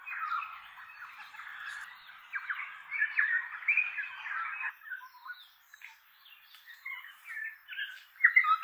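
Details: Tui flock exploring oak trees in inland Kapiti, New Zealand; a busy mix of gurgling warbles, squeaks and clicks from several birds, thinning midway before rising again into sharper notes.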